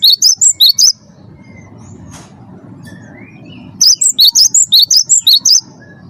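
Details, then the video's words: Champion wingko-type cinereous tit in full 'gacor' song, used as a lure to draw song from other birds: two bursts of sharp, high, alternating chip notes in rapid series, separated by a quiet stretch with a low background hum. "gelatik batu wingko gacor juara satu pancing bunyi gacor"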